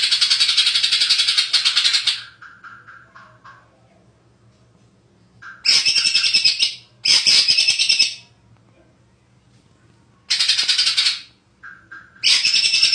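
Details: Champion greater green leafbird giving loud bursts of rapid, harsh, chattering song, each lasting one to two seconds, separated by pauses and soft lower whistled notes.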